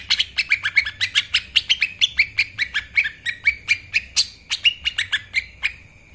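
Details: Lesser green leafbird (cucak ijo mini) singing a master recording meant to train songbirds, in the energetic narung style. It delivers a dense, continuous stream of sharp chips and short whistles, steady for six seconds, with a few louder accented notes.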